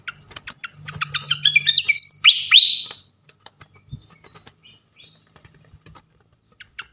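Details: Champion fantail (srikatan kipas) singing loudly as training song for songbirds. Quick ticking notes build into a lively phrase of bright descending whistles lasting three seconds, followed by near silence with scattered clicks.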